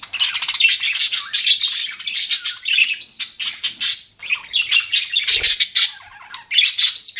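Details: Budgerigars in a fast, continuous warble of buzzy chirps, clicks and squeaky whistles packed closely together, with a brief pause near the end before the chatter resumes.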